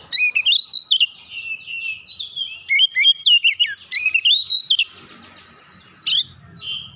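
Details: Oriental magpie-robin stirred up by another magpie-robin, singing hard with open beak and showing off its learned fill-in phrases: rapid bright whistled notes and slurred rising-falling trills, a short pause, then one sharp final note.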